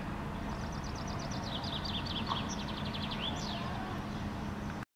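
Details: Common chaffinch (Fringilla coelebs) singing in a maple tree in Helsinki, Finland, in May 2013: a bright, descending run of quick notes ending in a flourish, over a steady low background rumble.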